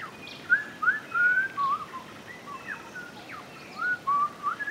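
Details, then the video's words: Orange-collared manakin during its courtship dance; clear whistled notes, some rising and some slurring down, given in quick irregular runs of short phrases with brief pauses, against quiet background. "Orange-collared Manakin Dance"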